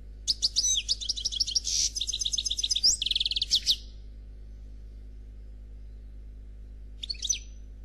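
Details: Noir Khalwi goldfinch singing without faults: dense, fast chattering trills with buzzy notes and sharp high twitters for almost four seconds, then quiet and a brief closing chirp, with a faint low background hum.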